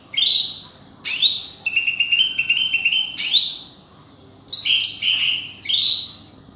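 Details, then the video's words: Leafbird answering wild forest birds: loud upward-slurred whistles alternating with buzzy, stuttering lower chatter, then rippling doubled notes, six bursts across the clip in a quiet setting. "Hijau Sami blh panggil burung hutan lawan"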